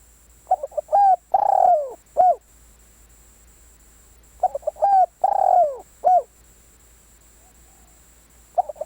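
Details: Lure call of a spotted dove: stuttering short coos lead into a steady coo, a long trilled downward-sliding coo and a brief finishing note, phrase repeated roughly every four seconds, quiet background.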